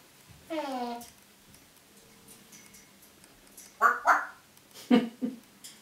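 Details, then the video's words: Pet African grey parrot making noises indoors: a falling harmonic whistle, then short rough clucking and voice-like sounds, with faint background hum. "parrot saying random things and making noises"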